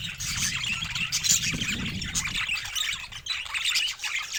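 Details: Pet budgerigars, several birds together, give a steady rippling chatter of high warbles and chirps, with a low muffled rumble underneath in the first half.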